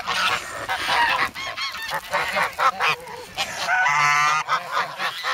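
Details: Once goslings, now grown geese honk hungrily in the snow of Sloterpark, Amsterdam, on 3 February, pecking for bread; a chorus of nasal honks overlaps, ending in a long drawn-out call.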